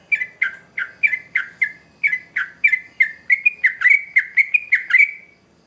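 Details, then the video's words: Sooty-headed bulbul song played to lure young birds; spaced whistled phrases that quicken into a tight run of rising and falling notes before fading out at the end. "Trucukan Gacor ngamuk Pancingan Terbaik Untuk Burung Paud"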